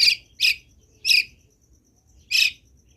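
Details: Vocal Long-tailed shrike with fill-in phrases in its song, here four loud, scratchy, harsh bursts spaced unevenly over three seconds.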